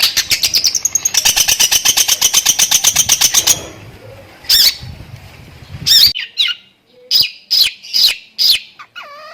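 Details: Long-tailed shrike song with lovebird imitations, rapid 'tembakan' style: a fast run of about twenty evenly spaced high buzzy notes, then a pause and a series of sharp separate chips and a short whistled descending phrase.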